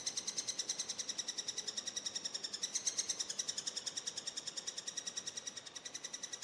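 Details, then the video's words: Eurasian three-toed woodpecker nestlings being fed keep up a high, thin, rapidly pulsing chatter of about eight notes a second, rising briefly in pitch midway. "Dreizehenspecht beim Füttern"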